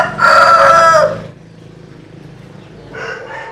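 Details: Close rooster crowing: a single loud, steady crow of about one second, then a fainter second crow starting near the end.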